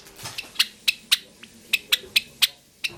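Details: A pet sakura Java sparrow gives a series of crisp, high clicking notes, about three per second, the dry ticking phrase of its song.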